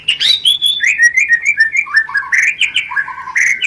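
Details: White-rumped shama, a lure sound to trigger mating; a continuous string of bright whistled and warbled notes that steps downward in pitch, with clicking ticks along the way.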